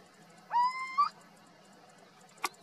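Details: Little owl in Zafra, Badajoz, Spain: a single loud, rising, mewing whistled note about half a second long, with a faint short click near the end and quiet background hum.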